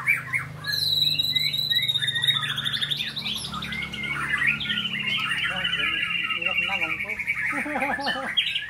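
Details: White-rumped shama in a training and sparring session, singing a long sweeping whistle that slides downward, mixed with quick chattering notes and later repeated bouncing phrases over a steady low hum.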